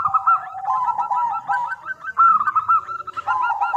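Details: Local zebra dove singing, used to lure other doves into answering: continuous crisp cooing with fast repeated staccato notes stepping up and down, some phrases overlapping as if a second dove joins.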